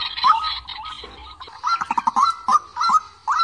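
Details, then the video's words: White-breasted waterhen call used on trap speakers to lure birds: harsh, nasal honking notes, some drawn out and some in quick clipped bursts, irregularly spaced. "Tiếng chim QUỐC TƠ ( mặt lem)"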